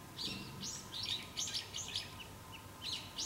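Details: Brown-eared bulbul calling loudly: a quick burst of short, bright, arched chirps, some buzzy and rasping, given in irregular clusters with brief gaps, over a low steady hum in the background.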